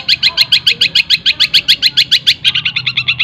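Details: A long-tailed shrike (cendet) rattles off rapid tengkek buto mimicry joined to greja and kunti sounds. Regular doubled chips come quickly, then turn softer and closer together after about two and a half seconds.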